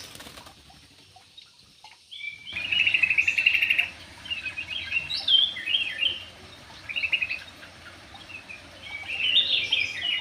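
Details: Javan pied starling in full song after a brief quiet start, with loud buzzy rattles alternating with squeaky whistles and chattering notes in a rich, varied stream.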